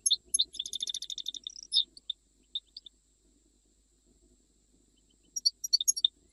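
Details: Goldfinch from Jijel with a fast stuttering burst of high chirps and trills, a few isolated notes, a long quiet pause, then another short twittering phrase.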